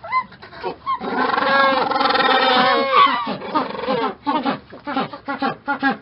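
A penguin gives a harsh, braying call with a long drawn-out note and then short gasping bursts.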